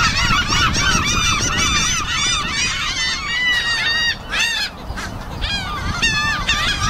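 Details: Flock of seagulls on an afternoon gives dense, overlapping harsh mewing and squealing calls, several a second, over a low rumble of wind or water.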